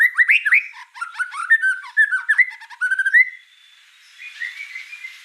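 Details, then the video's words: White-rumped shama in vigorous song: a lively, varied tumble of warbled and whistled notes for about three seconds, then a fainter, softer twittering passage. "Suara kicau burung murai batu gacor"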